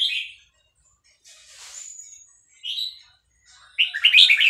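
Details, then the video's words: Excited caged red-whiskered bulbul of Vietnamese stock sings with fast-linked phrases to a played recording of hatched chicks. Short bright warbles are separated by pauses and a faint high whistle, ending in a dense chirping cluster. "นกกรงหัวจุกเวียดนาม ต่อดอกเร็ว เปิดยั้วลูกนกฟักแล้วคึกร้องตาม"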